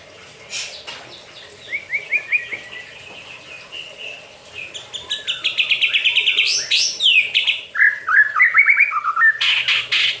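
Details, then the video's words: White-rumped shama, a caged bird bathing in its cage, keeps singing: varied whistled phrases, a quick series of rising notes then rich, rapid trills and slurred whistles growing louder toward the end. "MURAI BATU MANDI KERAMBA TETAP BUNYI"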